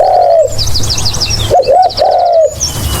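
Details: Spotted dove voice: a long level coo fading off, then after a gap a short double note followed by another drawn-out coo; bright rapid chirping from other birds overhead and a low hum behind.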